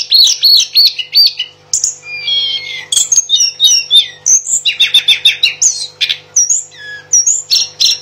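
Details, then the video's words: Mangrove blue flycatcher singing energetically: a fast, varied run of high whistled phrases, trilled notes and sweeping slurs, packed with short bursts and barely pausing for eight seconds. A faint steady hum sits underneath. "Tledekan Gunung Edan Gacor Berkicau"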